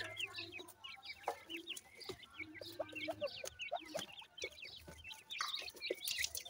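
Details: Grey francolin (dakhni teetar) chicks from a breeding setup, a flock giving rapid, overlapping high thin peeps and short chirps with a few soft lower clucks, steady busy chatter throughout and a low background hum.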